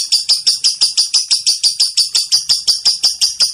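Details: Lovebird in long ngekek chatter: a fast, steady run of high, sharp notes repeated about three times per second without a break.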